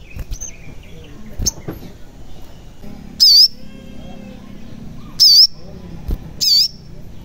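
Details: Sogon bird song used as a lure to make reluctant caged birds start singing: three loud, high, wavering whistled phrases, each under half a second, spaced one to two seconds apart, with faint chirps between.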